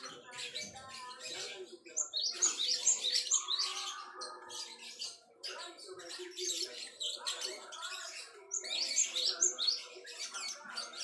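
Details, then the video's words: Java sparrow song for training cage songbirds: rapid chatter in two busy bursts separated by a quieter middle stretch, with high squeaky notes and a low buzzy warble mixed in. "burung gelatik wingko buat masteran - kicauan burung"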